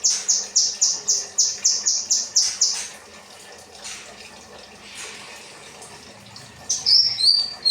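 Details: Kinoi bird, rambatan training song for caged birds: three seconds of rapid, evenly spaced high chirps, a quiet stretch, then a short burst of high whistled notes.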